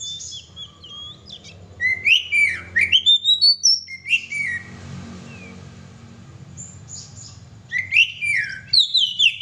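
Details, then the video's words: Oriental magpie-robin pouring out lively song: fast tumbling whistles and chattering notes, a quieter stretch in the middle, then another burst of bright sliding phrases, over a low background drone. "kacer gacor"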